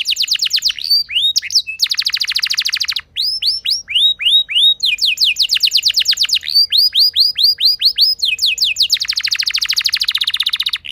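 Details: Canary song used as a lure to set other canaries singing: loud rolling trills of rapid repeated notes alternating with series of swooping down-slurred whistles, phrases changing every second or two, steady high-pitched throughout.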